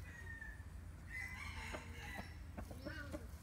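A crossbred junglefowl gives a short, hoarse crow lasting about two seconds, with a steady low rumble underneath.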